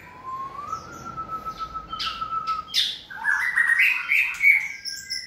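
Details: Caged white-rumped shama being trained for singing stamina: a long steady whistle rising then holding, followed by bright warbled phrases and a few sharp clicks.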